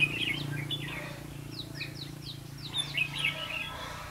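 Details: Red-whiskered bulbul during trapping on 5 November 2016: a run of descending slurred whistles repeated in quick succession, framed by chirpy phrases, over a continuous low hum.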